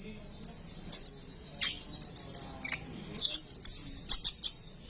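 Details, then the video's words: Sunbird besetan song used as a lure to get other sunbirds singing: a continuous high, sibilant trill broken by sharp, squeaky chirps and one downward-sliding note. "Besetan burung konin,,cocok buat pancingan burung konin bahan agar mau bunyi."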